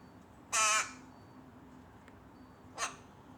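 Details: Rook chick, tame, pestering its mother: one loud harsh nasal begging squawk lasting about half a second, followed by a shorter, fainter rasp two seconds later.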